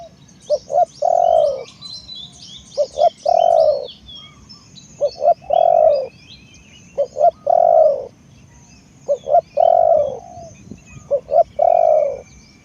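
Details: Steady series of spotted dove coo phrases from a decoy bird, each made of two quick short notes and a longer swelling coo, repeated about every two seconds, with light background twittering.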